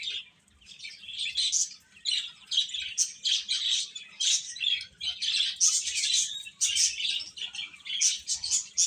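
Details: Chicks chirping steadily, dense high-pitched peeps repeated in rapid overlapping bursts throughout.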